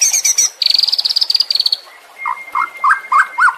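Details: White-rumped shama training song for caged birds: a fast burst of high buzzy trilled notes, a brief pause, then lower rounded whistled phrases repeated several times over a thin steady tone.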